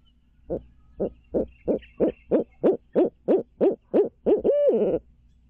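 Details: Barred owl at a Midtown Tulsa nest, stream camera, 2019. A run of roughly twelve steady hoots, about three per second, swells in volume and finishes with a long, drawn-out descending hoot.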